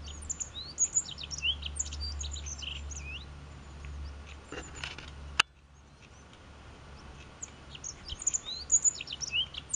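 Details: Rock bunting at La Plataforma, Candelario: thin, high, sharp chirps scattered through the recording, dropping out briefly after a loud click near the middle, over a steady low rumble.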